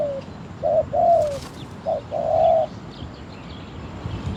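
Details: Spotted dove used as a trap decoy gives a few low cooing notes, a short coo then a longer drawn-out one slurring downward, followed by quiet background with faint distant chirps.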